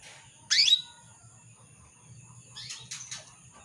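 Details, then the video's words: Calling female canary, used to draw a male into singing; one loud upward-sweeping chirp, followed after a pause by a short cluster of softer, quieter twitters over a faint steady whine. "PANCINGAN KENARI BETINA MEMANGGIL JANTAN"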